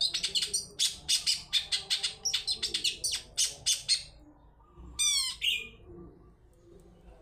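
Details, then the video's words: Long-tailed shrike lure song, 'toet toet' style, played to make other birds answer: about four seconds of fast, evenly spaced harsh chattering notes, then a clear whistled series sliding downward and a final rasp. "Pancingan cendet toet toet || ahlinya mengundang bunyi"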